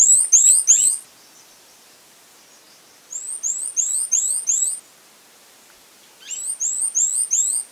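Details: Song of the fawn-breasted tanager: three phrases of four or five thin, very high, rising whistles, each phrase around a second to a second and a half long, repeated roughly every three seconds with near silence between.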